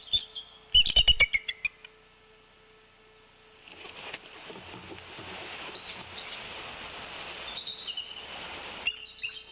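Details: At the Decorah nest at 16:37 on 16 February 2024, during a brooding shift change, bald eagles chatter: a quick burst of thin, high, falling piping notes, then a few fainter squeals over steady wind and rustling.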